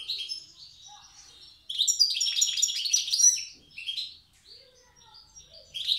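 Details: Goldfinch of the wild Tiaret type performing old-style song, opening with soft high notes, then a dense, liquid twittering phrase of rapid chirps and trills, followed by scattered thin, sweet notes.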